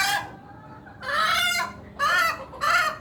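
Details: Hen giving an odd, unusual call: four drawn-out, harmonic squawks, the first short, the next three longer with a rising-then-falling contour, each separated by brief pauses.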